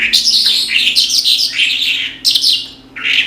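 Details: Australasian bush lark, locally branjangan, singing hard: a continuous stream of harsh, chattering high notes and buzzy slurs, pausing briefly before another sharp burst and a final short phrase.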